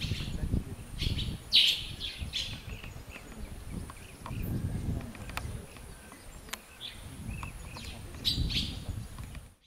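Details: Angola swallow (Hirundo angolensis) in Akagera National Park, Rwanda, March 2013: brief, thin twittering chirps in scattered bursts over a steady low rumble like wind or distant traffic.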